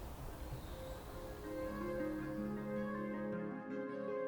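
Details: Gentle instrumental music with sustained tones and plucked strings plays throughout, with no animal sound.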